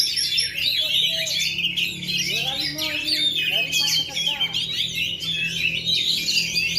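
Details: Contest-ring kacer, the Oriental magpie-robin, still at full power after 2.5 years without a molt: high, busy warbling and whistled slurs, with people talking and a low hum beneath.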